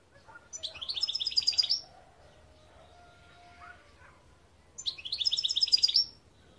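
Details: European goldfinch repeating a fast, high tinkling trill twice, each burst about a second long and separated by a pause of faint softer notes.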